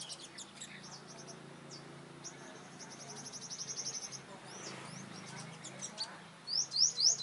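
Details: Five-colored sunbird confronting flock leaders during trapping: rapid high ticking notes, a quieter spell with faint talk, then three loud, sharply rising high whistles close together at the end.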